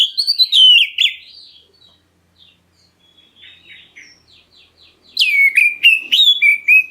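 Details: Oriental magpie-robin, black-breasted type, calling to draw replies from other birds: a burst of loud whistles, then soft twittering notes through the middle, then another strong run of six or seven falling whistles.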